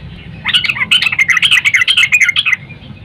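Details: A female sooty-headed bulbul calling to a male at morning gives a two-second stream of scratchy, rapidly varying chattering notes, rising and falling in pitch, over a low steady background hum.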